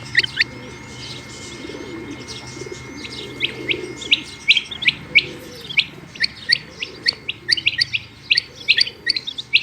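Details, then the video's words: Female rain quail chirping: a few soft notes, then a steadier series of crisp, high, ticking chirps growing denser toward the end, over faint background murmur. "Rain Quail Calling Hd |Batair Ki Awaz |Female Quail Calling Batair Ki Awaz"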